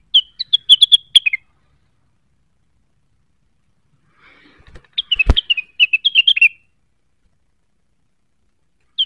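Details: Blue-winged leafbird, locally cucak wilis, singing constantly and seeking a rival: two bursts of rapid whistled chatter with a loud click between them and a single note at the end.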